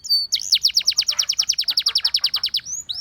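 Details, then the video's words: Canary, Russian singing type, singing to attract other canaries: one long even trill of about twenty fast downslurred notes, framed by brief high whistles at start and end. "A Special Canary to Seduce All The Canaries - The Russian Singing Canary"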